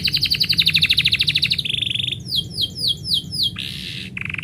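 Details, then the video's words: Canary in song when the person who keeps it is about to leave, opening with a rapid pulsed trill, then sweeping whistled notes and a harsh buzzy burst before a short trill. "kenari bunyi ketika yang punya mau pergi"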